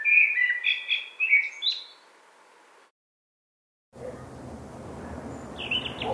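Common Blackbird: a short run of clear, fluty warbled notes in the first two seconds. A break follows, then steady outdoor hiss with a few faint high notes.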